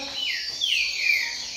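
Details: Double-collared seedeater singing in a song circle among friends, a caged contest bird: high clear whistled notes sliding downward in long descending strokes, one after another, loud and close.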